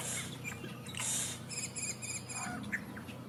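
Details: Yellow-rumped caciques, a colonial nester, make loud noise as they do when they have eggs: a jumble of harsh, buzzy notes and bright metallic chirps, with a steady low hum behind.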